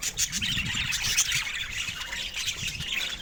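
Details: Pet budgerigars chatter together in a steady, crowded stream of shrill chirps, scratchy squawks and warbled notes, many birds calling at once.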